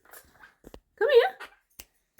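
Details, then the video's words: A pet Monk (Quaker) parakeet gives one short, wavering, warbled whistle lasting about a third of a second, with a few faint clicks in a quiet room. "Quaker Parrot whistling"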